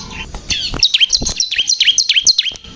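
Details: Bar-winged prinia singing actively in captivity: a run of high, sharply falling chirps repeated about every quarter second, with faint low thumps in the background.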